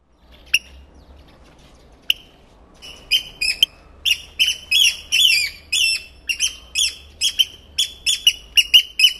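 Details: Eurasian oystercatcher chicks on Getterön, Sweden, around 8 in the morning on 13 May, two just hatched and one still breaking out of its shell; thin, high peeping calls repeated rapidly in short bursts, with a few sharp clicks at the start.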